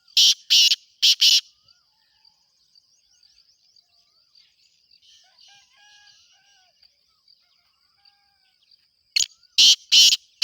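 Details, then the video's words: Black francolin calling during the breeding season: three rasping, grating bursts open the phrase, then a long quiet gap with faint chirps, then four more harsh bursts. A continuous high insect drone runs throughout. "کالا تیتر کی آواز سیزن مستی کی بولائیاں"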